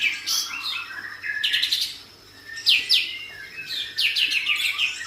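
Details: White-rumped shama in kapas tembak style with open tail, recorded as training song for other birds: bright whistles, then sharp downward sweeps and quick trill bursts repeated roughly once a second, loud and clean.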